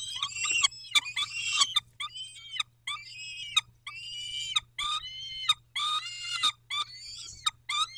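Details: Harsh, wailing calls of peregrine falcons being fed at Dobra on 19 May 2021 at 11:48, given in uneven bursts of about one per second, separated by short silences, over a faint hum.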